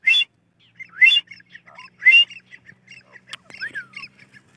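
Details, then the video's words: Grey francolin calling in the open: three loud harsh notes about one second apart, followed by softer scattered chirps and squeaks from nearby birds. "Gora Teetar Ki voice"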